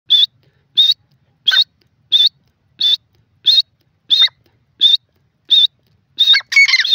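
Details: Grey francolin, locally called gora teetar or teetar, giving short bright high-pitched notes repeated about every 0.7 seconds, nine in a row, with a louder burst of mixed chirps at the end; otherwise quiet background.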